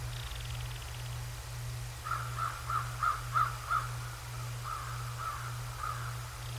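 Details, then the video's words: Bald eagles recorded by the Decorah North live nature cam, 7 January 2024, 08:36: a brief high whine at first, then a run of about six sharp piping chirps and softer trailing notes, with a steady low hum. "Decorah North Bald Eagles"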